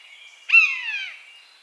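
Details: A single wild buzzard cry in its natural habitat: a harsh mewing note that begins loud and high, then glides steadily downward and fades over about half a second.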